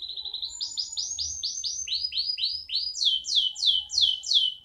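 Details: Caged canary from Indonesia singing. A quick ticking trill leads into rapid, repeated, downward-slurred whistled notes, about four per second. The notes shift lower midway, then return higher and louder.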